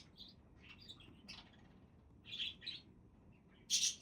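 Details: Budgies calling: sparse high chirps at first, then louder paired warbled notes midway and a sharp bright squeak at the end, with quiet gaps between.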